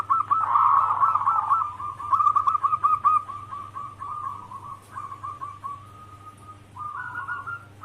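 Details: Zebra dove of a local strain in full song as a lure for other doves. A dense, bubbling trill gives way to rapidly repeated cooing notes that slowly fade, ending with a few higher rising notes, with a constant low hum behind.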